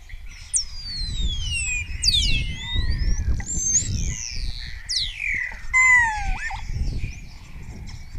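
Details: Spotless starling in Cabañeros National Park, Spain, singing close to a webcam, answered by other starlings and mimicking orioles, kites and other birds. A string of swooping whistles, rising and falling slurs and a low descending note, over soft rumbling noise.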